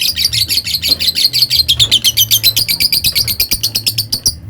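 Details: Lovebird giving long ngekek chatter, a song style said to rouse rival birds: an unbroken stream of rapid, buzzy, high squeaks, roughly six per second, holding for over four seconds before stopping abruptly.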